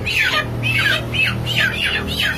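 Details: Healthy broiler chickens about 30 days old in a closed-house battery cage, calling together; loud, harsh squawking notes that sweep down in pitch, repeated roughly every half second over a steady low hum of machinery.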